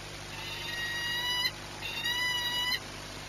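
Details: Peregrine falcon at Orlen in Płock, Poland, 22 March 2021: two long, gently rising, nasal harmonic wails, each over a second, with a short gap and steady low hum.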